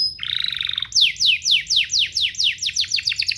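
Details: Domestic canary song as training material for young birds: a buzzy rolling trill, then a steady run of downward-sweeping chirps about four per second.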